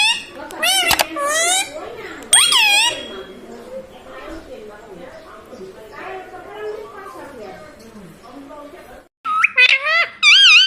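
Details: A pet green ring-necked parrot talking indoors, repeating "mummy" in high, wavering, nasal syllables at the start and end, with a long stretch of quieter murmuring human-like chatter between.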